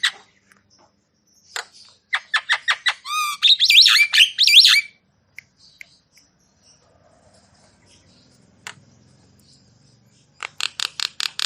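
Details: Javan myna singing to rouse stressed or lazy mynas into song: bursts of quick high chirps and a jumble of rapid whistled and scratchy notes, a long near-silent pause, then a closing series of fast repeated chirps.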